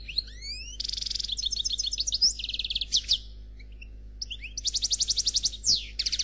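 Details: European goldfinch delivering Noir Khalwi style song without faults: rising slurred whistles, then long runs of rapid metallic trill notes, buzzy passages and a brief lull midway.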